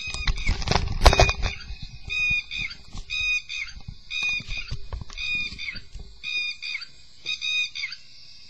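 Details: A tropical Asian Red-wattled Lapwing alarm call played from a toy: loud, sharp, ringing 'did-he-do-it' notes in quick repeated bursts, with room noise and a thump at the start.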